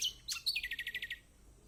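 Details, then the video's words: Kecial kombok white-eye song used to coax reluctant birds into singing: a few sliding high notes leading into a quick, regular trill of about nine clear repeated notes. "Masteran Kecial kombok/kecial kombo || Pancingan buat kecial kombok malas bunyi auto gacor!!"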